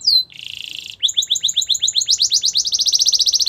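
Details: Canary singing a training song: a descending whistle, a short buzzy roll, then rhythmic downslurred notes that accelerate and rise in pitch into a fast, even trill.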